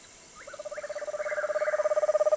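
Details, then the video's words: Screech owl giving a low, fast trill of rapid pulses that grows steadily louder, with faint whinnying notes from another owl above it. "Sounds of the Megascops"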